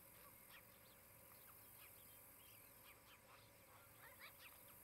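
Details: Osprey at a nest in Charlo, Montana, filmed by a nest camera on 23 July 2018 in late morning; clusters of short, sharp, slurred chirps come in bursts over a steady background hiss.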